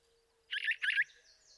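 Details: An adult Brown Thrasher sings an extended, loud bout at sunrise in July 2025 in a cottonwood forest at Highwood Creek, Montana, after feeding a begging juvenile. The phrase has two quick, harsh-sweet mid-pitched notes over a faint hum.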